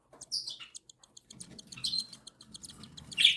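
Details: Cockatiel chicks one and seven days old being fed by their mother, giving rapid pulsed high peeping that swells into harsh rasping squeals, with soft rustling underneath.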